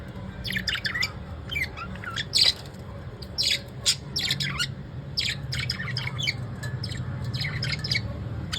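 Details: Evening chatter from pet lovebirds: a continuous run of shrill, raspy squawks and sharp chirps, irregular and overlapping, with steady low hum underneath.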